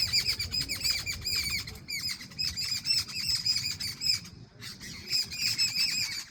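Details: Birds singing in the morning, with lively, repeated high chirps and twitters in rhythmic bursts separated by short silences, over light background noise.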